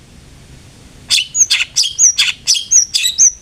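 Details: Long-tailed shrike lure recording used to coax a kept bird into singing: after a second of quiet, a fast run of about nine high chirps, each ending in a short whistled flick.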